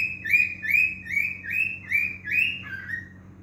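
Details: Male cockatiel whistling a steady series of seven rich notes, about two per second, each slightly rising, ending on a lower, softer note, over a low hum.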